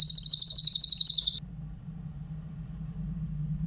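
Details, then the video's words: Grey-headed canary-flycatcher singing a shrill, fast-pulsed high trill for about one and a half seconds before it breaks off. A low hum remains afterwards. The recording is used to train other songbirds. "Masteran burung cililin , suara jernih"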